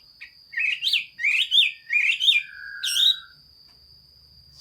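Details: Chinese hwamei in song, 15 June 2021. Four bright, looping whistled phrases about half a second apart, the last followed by a long lower falling whistle, then quiet. A faint constant high whine persists throughout.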